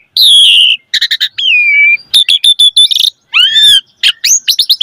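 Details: Javan pied starling in energetic full song, meant to coax young birds into singing: loud drawn-out whistles, a descending slurred note, a rapid stuttering run and rising upswept whistles, separated by brief pauses.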